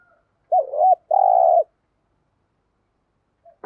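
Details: Spotted dove kept as a decoy bird, calling to stir wild doves: a wavering double coo followed by a long, even, mellow note, then silence.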